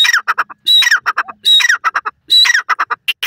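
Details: Grey francolin, locally called dakhni teetar, giving its loud harsh call. Rising and falling screechy notes lead into bursts of short clipped pulses, with the phrase repeated three or four times.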